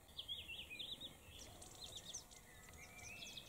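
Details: Eurasian blackcap (Sylvia atricapilla) in Kherson region, Ukraine, on 4 September 2019, singing a quick, scratchy high warble that turns into clearer, rising fluty whistles, over a soft background hiss.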